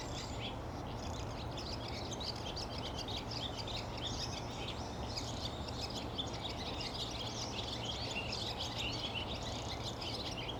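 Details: Barn swallow calling: a steady stream of short, high chirps and twitters runs through the whole clip over a constant low rumbling background noise.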